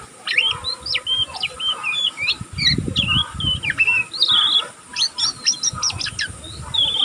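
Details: Young oriental magpie-robin still learning its song, twittering without pause (ngeriwik): a busy, varied sequence of high looping whistles and chirps, ending in quick clusters of steep notes. Soft low noise sounds midway.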